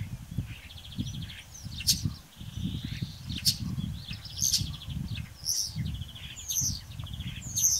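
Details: Common starling singing on a morning in Braziūkai, Kaunas district, Lithuania, on 8 April 2018: a jumbled medley of sharp high whistles, clicks and buzzy rattling trills, about one phrase a second, over a steady low wind rumble.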